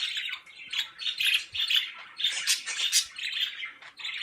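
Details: Pet birds kept indoors chirp and squawk in a dense, continuous stream of short, high notes, overlapping calls following one another rapidly with no pause.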